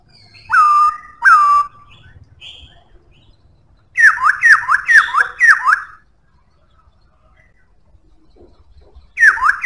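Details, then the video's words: Strong-voiced song of a Black-throated laughingthrush: two clear level whistles, then a rapid burst of five descending slurred notes, with another slurred note starting at the end. "Khướu bạc má hót cực hay,giọng khỏe"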